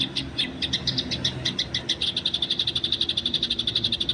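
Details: Eurasian tree sparrow in the wild, fighting, recorded as training material: a continuous rapid run of high, sharp chirps, steadily repeated for about four seconds over a faint low background hum.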